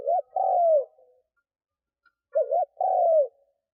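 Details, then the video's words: Spotted dove kept as a lure for wild doves, cooing twice. Each phrase is a rapid doubled note, then a longer mellow coo falling at the end, with about a second of silence between phrases. "Tiếng cu mồi thúc gù gáy kích bổi cực nhạy / Tiếng chim cu gáy kích bổi nhanh nổi mới"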